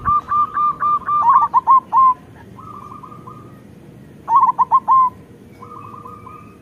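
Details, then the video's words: Zebra dove of the local type, singing as a lure for lazy doves. Rapid beaded coos run into loud, clipped, stammering notes. Softer level cooing follows, then a second burst of loud staccato notes and more rippling coos. "Perkutut lokal gacor Suara Besar"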